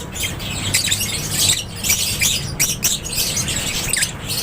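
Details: Lovebirds kept in an aviary give rapid, piercing chirps and short squawks, several birds calling over one another in a lively, high twittering stream.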